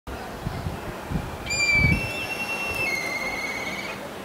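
Black kite giving a long, thin, high whistle that wavers slightly and lasts over two seconds, with low wind rumble beforehand.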